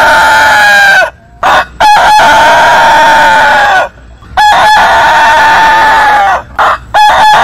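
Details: Rooster from a long-crowing heritage chicken compilation: three long level crows, each held about two seconds with short stuttered notes between them, rich harmonic tone.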